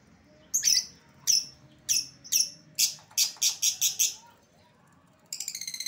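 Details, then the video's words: Lovebird lure call for calling an escaped bird home: shrill, harsh squawking notes spaced about half a second apart, then a quick burst of chirps, ending in a fast, buzzy stuttering call. "suara pikat lovebird yang lepas"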